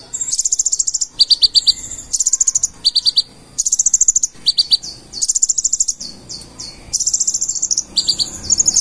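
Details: Konin (purple-throated sunbird) in full-isian gacor song: long runs of extremely high, rapid trilled notes alternating with quick descending chip series, repeating steadily in bursts of about a second.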